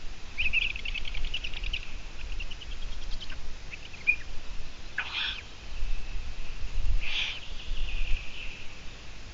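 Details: Long-eared owl recorded on a live broadcast on 17 June 2017 at 12:14: two harsh, hissing squeaks about two seconds apart, with faint trilling songbird chatter earlier and steady low background rumble.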